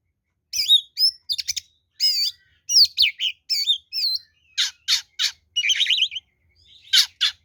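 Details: Oriental magpie-robin (kacer) fighting song used as a lure; loud varied phrases of high whistles, rising and falling sweeps and buzzy rasping notes in short bursts separated by brief pauses.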